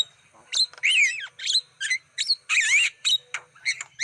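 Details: Black-winged starling song used as a lure to attract wild birds: a varied run of short harsh bursts and bright whistled notes with quick rising and falling slurs, separated by brief gaps.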